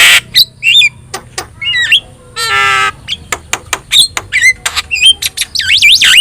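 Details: Javan myna, a vocal yellow-eyed bird whose song trains other birds, mixing squawks, whistled slurs, a long harsh rasp, clicks and a final run of swooping, wavering whistles.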